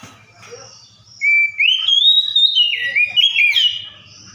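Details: Singing Oriental magpie-robin imitating other birds: after a quiet start, a long clear whistled phrase climbs, then breaks into rapid rising and falling slurred notes lasting about two and a half seconds.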